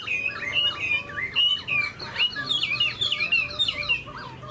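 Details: Song of a tame pet Chinese hwamei that fans its tail and plays its wings: clear looping whistles and rapid downslurred notes, closely spaced and varied in a short burst.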